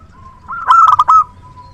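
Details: Local zebra dove used as a luring decoy: a steady soft tone, then one loud, quick burst of four or five ringing, clipped coo notes.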